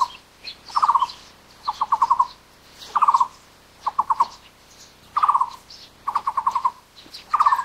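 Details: Taiwan barbet (Psilopogon nuchalis), Taiwan, call: low, hollow, rapid bursts of four or five knocking notes, repeated about every second, with faint higher bird calls behind.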